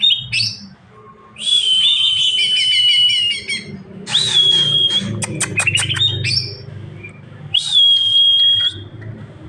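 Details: Greater green leafbird delivering long high whistled phrases broken by buzzy harmonic warbling, a string of sharp rising clicks, then a further sustained whistle, over faint low background hum.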